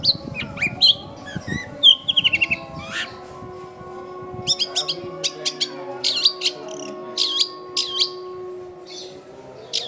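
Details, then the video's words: A varied run of high chirps, slurred whistles and quick clicking notes from a long-tailed shrike, used as a lure for wild young shrikes. A brief low rumble opens it, under a steady background hum from a crowded residential area. "SUARA CENDET GACOR AMPUH BUAT PANCINGAN CENDET BAKALAN"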